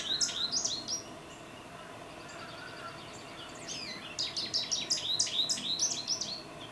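American Goldfinch giving bright, high, rapid twittering notes in two bursts, with a quiet pause between them and a faint background hiss.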